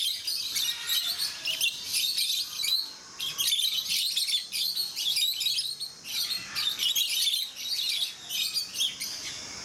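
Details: Rosy-faced (peach-faced) lovebirds at Mysore Zoo in a shrill, nonstop chatter of high squeaky chirps, several birds calling over one another in overlapping bursts.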